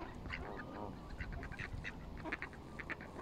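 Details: Canada geese on a bank: one drawn-out nasal honk early on, followed by a rapid run of short clipped calls and clicks over steady low background noise.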